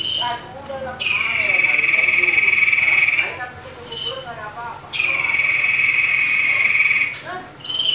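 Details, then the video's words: Common iora giving a fighting call meant to provoke rival birds: long, buzzy, sustained high trills of about two seconds each, repeated after short pauses, over a busy background of softer chattering notes. "Cipoh Tarung Ngamuk, Jadikan Sirtu Diam Ikut Emosi Saat Mendengarnya"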